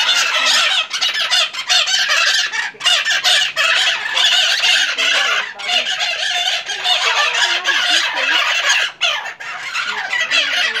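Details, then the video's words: Noisy flock of maitaca parrots at a house in Santa Maria Madalena, RJ, Brazil, January 26, 2014, keeping up a loud unbroken chorus of raucous, grating squawks and chattering screeches, with short pauses. "MAITACAS FAZENDO ALGAZARRA"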